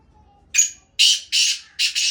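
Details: Black francolin calling: four harsh, grating bursts in quick succession, the last two joined into a double note, with a quiet background.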